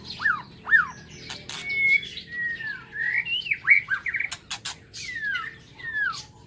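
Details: White-rumped shama in an aviary during the morning, delivering swooping whistled notes and slurred phrases, some rising, some falling, interspersed with brief twitters and clicking sounds from the cage.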